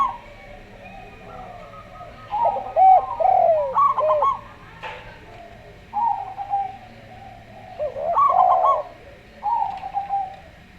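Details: Slow-voiced local zebra dove with a calm Javan derkuku dove: scattered stuttering coo bursts and curved hooted coos, separated by short quiet gaps, one brief click-like noise in between.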